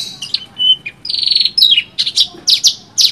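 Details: Branjangan, Horsfield's bush lark, singing a rich tutor song: short high chirps, a sustained buzzy note, then falling slurred whistles and quick bright chips in an uneven, lively sequence.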